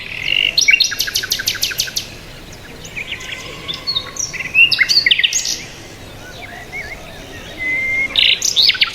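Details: Mixed birds twitter in bursts. Sharp vertical clicks, thin high whistles and slurred chirps overlap, separated by quieter stretches.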